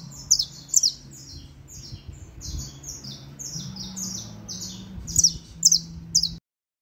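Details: Saffron finch song of rapid, high, metallic chirps delivered in quick runs, loudest at the start and near the end, before the sound cuts off abruptly; a low hum runs underneath.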